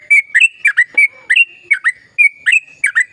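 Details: Sooty-headed bulbul giving a lively, rapid song used to coax silent bulbuls to sing: quick bright chirps in pairs and threes over a fine, unbroken whistle tone.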